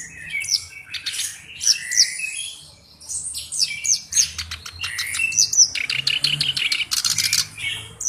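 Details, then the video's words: Energetic song of a black-browed reed warbler kept as a tutor bird: high, scratchy chirps and squeaky notes in bursts, a short pause near the third second, then dense rapid chatter ending in buzzy rattles. "BURUNG KERAK BASI ALIS HITAM GACOR/MASTERAN KERAK BASI"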